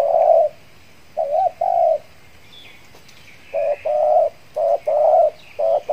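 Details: Spotted dove kept as a decoy to attract wild birds, Riau Islands, Indonesia, back in use after moulting; a long coo, a quick double coo, a pause, then a string of soft coos, with faint high chirps of other birds.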